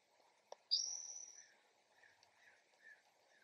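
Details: Early-morning spotted towhee in a backyard: one buzzy, high, mewing note lasting most of a second, preceded by a click, followed by faint softer chirps and a low background hum.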